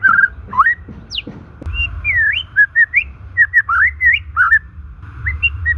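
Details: White-rumped shama song used to rouse silent, stressed shamas: mellow slurred whistles, a high sweeping note, and a string of wavering whistled phrases over a low hum.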